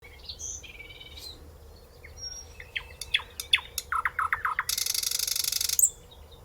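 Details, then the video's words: A nightingale sings close up: a varied phrase of thin whistles, sharp clicks and a run of quick repeated low notes, then a harsh buzzing rattle, over a faint steady hum. "singing Nightingale"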